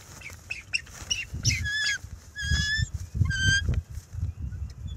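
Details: A bald eagle pair guards their nest from an owl flying past and perching on a limb, March 7, 2024, filmed by nest camera; drawn-out, clear piping calls with strong overtones, repeated three times over rumbling wind noise.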